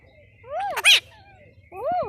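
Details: Pet parrot vocalizing in short bursts: two arched, harmonic, voice-like notes rise and fall, with a harsh buzzy burst between them, then a pause and one more arched note. A person speaks afterward.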